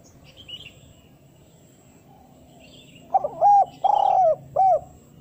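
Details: Spotted dove calling, used as a lure to draw wild doves. After three quiet seconds, a short stuttered lead-in gives way to three low, hollow coos, the middle one longest and falling. Faint chirps from other birds sit in the background.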